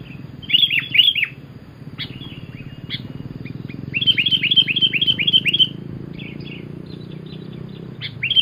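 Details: Lively sooty-headed bulbul singing a lure song: quick runs of sharp, dropping chirps in rapid clusters, with pauses between the runs and a soft low hum behind.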